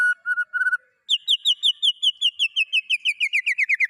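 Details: Captive white-rumped shama with a song mixing in other birds' phrases: a few short flat whistles, then a fast even series of sharp chirps slowly dropping in pitch.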